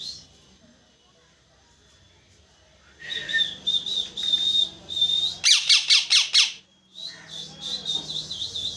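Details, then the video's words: Parrot chirping loudly indoors: after silence, steady high whistled notes with short warbles, then a burst of six rapid, harsh, evenly spaced chirps, followed by more high whistling twitters. "parrot Chirping sound very loud"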